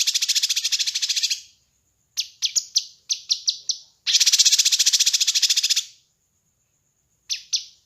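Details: Kinoi bird master recording for training and luring birds: two long, rapid buzzy trills of over a second each, separated by clusters of sharp descending high chips, with a faint thin whistle underneath.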